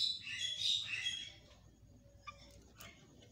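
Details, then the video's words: Yellow-vented bulbul singing in the morning, used as a lure song: a dense burst of bright, bubbling chirps for just over a second, followed by a few scattered sharp notes. "JOGJOG TRUCUK NGEROPEL NEMBAK NGALAS"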